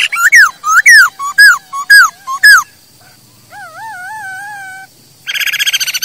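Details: Masked laughingthrush song intended for tutoring kept birds: loud, slurred whistles repeated about twice a second, a quieter steady warbled tone, then a harsh rattling chatter.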